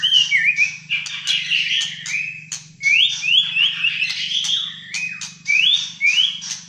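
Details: Caged Malaysian white-rumped shama in fighter-style full song, repeating clear upslurred whistles between sharp ticks and scratchy notes in a lively, varied run, with a low electrical hum beneath.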